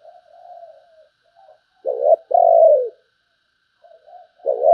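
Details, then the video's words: Spotted dove song of the 'sấm bầu' type: soft quiet murmurs lead into a loud low phrase of a short note and a long falling coo, with another phrase beginning as the recording ends. "Tiếng chim cu gáy chuẩn sấm bầu"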